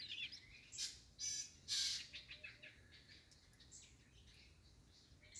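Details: White-rumped shama, a wild forest bird, giving loud high bursts: harsh rasping notes and shrill chirps in the first two seconds, then softer scattered twitters and faint whistles against a calm background.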